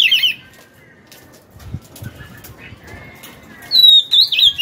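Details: Caged Oriental magpie-robin, wild-caught and kept for two years, sings when hung: a brief warbled whistle opens, then near-silence with faint soft notes and taps, then a bright level whistle turning into wavering, descending notes.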